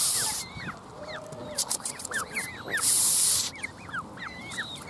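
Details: A Canada goose gives loud breathy hisses at the start and again midway, while a chorus of quick, high, curving peeps chatters steadily around it.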